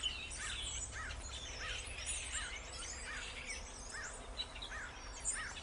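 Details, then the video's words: A crowd of starlings chattering nonstop. Repeated hooked, arching chirps come roughly every half second under thin high whistles and scratchy notes, and a low rumble fills the background. "Bird songs - Mind boggling sound of starling"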